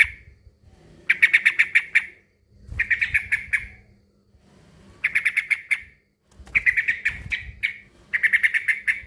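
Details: Male sooty-headed bulbul challenging a rival: five quick chattering bursts about every two seconds, each a tight run of sharp notes, over a faint steady hum.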